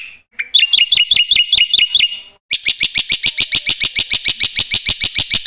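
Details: Loud black-winged myna song: a run of bright piercing chip notes with a short flicked accent, a sudden gap, then a faster string of shrill metallic ticks repeated steadily.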